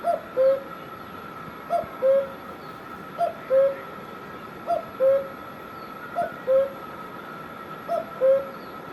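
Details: Repeated cuckoo call recorded in Himachal Pradesh, India: six paired notes, each a quick higher note sliding to a louder lower one, spaced about one and a half seconds apart, constant hum underneath.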